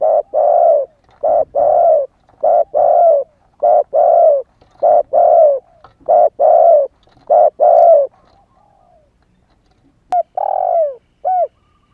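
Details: Young spotted dove, newly started calling and still in wild plumage, used as a lure for wild doves: loud, hollow coos repeated about every second in a long series, then a pause and a few more.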